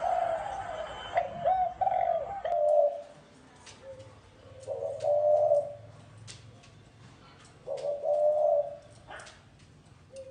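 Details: Spotted dove singing in the gáy gù cooing style: three low, mellow cooing phrases, each a few soft notes run into a longer hooting note, about three seconds apart, with faint clicks and room sounds between.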